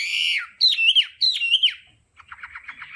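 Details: Hwamei singing in the tone-switching training style: a loud, full whistled note, then two repeated ringing phrases that slide down. Softer quick chattering notes follow a short pause.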